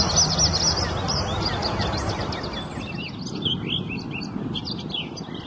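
An orchard oriole sings a rapid, varied run of bright whistles and chattering notes, high-pitched and hurried, over a steady low rumble of background noise.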